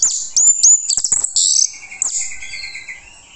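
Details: Orange-headed thrush song used as a lure so other birds reply: shrill, rapid, high notes, then a sustained buzzy trill that fades quietly.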